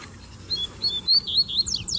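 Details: Double-collared seedeater males sing while a female crouches to invite mating; clear slurred whistles rise into a run of rapid, sharply falling notes. A faint low hum runs beneath.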